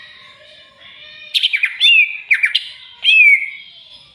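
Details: Agitated by a rival, a greater green leafbird pours out rasping chatter woven with loud slurred whistles, the last a long falling whistle, over faint steady background twittering.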